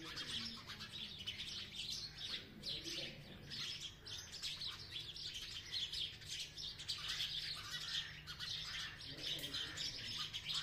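Sparrows chirp without pause, a dense chatter of short, bright notes from several birds overlapping throughout.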